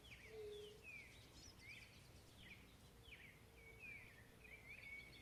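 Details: Chalk-browed mockingbird: repeated short slurred whistles, each falling or rising, given roughly every half second against a noisy outdoor background, with a faint low whistle beneath.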